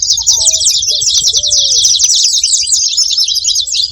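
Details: Saffron finches making noise: a dense, unbroken chorus of high, rapid chirps from many birds, with a few lower, slurred whistled notes underneath.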